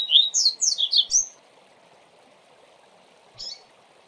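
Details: Double-collared seedeater, a tutor bird whose song serves to teach young birds, in the 'Tui Tui Zel Zel' style: a rapid run of about six high, zigzagging whistled notes lasting just over a second, then a lone short note, over a steady low hiss.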